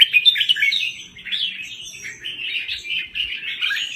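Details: Thai red-whiskered bulbul, a cage bird, singing a steady flow of quick chirps and warbled notes with little pause.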